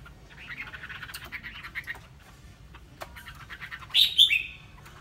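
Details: Chinese hwamei singing: a quick run of varied, chattering and warbled notes for about two seconds, a short pause, then a burst of loud, bright, high whistled phrases near the end, over low background hiss.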